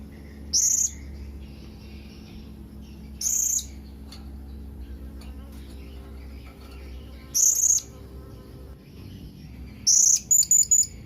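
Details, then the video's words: Widely spaced single shrill high calls from a Blue-crowned hanging parrot seeking companions, ending in a quick burst of several rapid piercing notes, with a steady low hum underneath. "Suara SERINDIT MEMANGGIL KAWAN"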